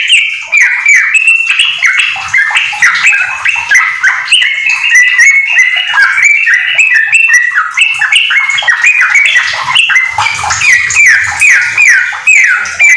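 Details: Yellow-vented bulbul singing nonstop in 'gacor ropel' style with magpie-robin phrases worked in, a tutor recording for training house-kept bulbuls; fast, dense run of warbled, sharply slurred whistles and chattery notes, steady and unbroken throughout.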